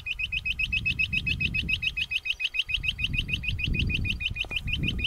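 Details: Rock bush quail calling out loudly: a fast, steady series of short, high, sharply rising notes, about three per second, running through the whole stretch over a low rumbling background.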